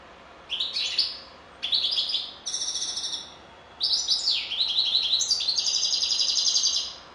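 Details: European goldfinch singing in bursts of rapid, bright twittering and liquid trills, with short pauses between phrases, then a long, sustained, tinkling run near the end.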